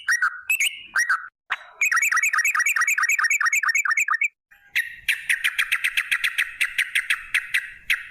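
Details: Sooty-headed bulbul singing a long 'ropel' lure song meant to trigger other bulbuls: a few slurred whistles, then a fast even string of sharp chirping notes, a brief gap, and another rapid rattling series.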